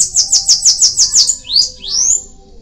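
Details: Bananaquit singing one phrase: seven rapid, very high, buzzy notes in a steady series, then two rising, slurred whistles to close.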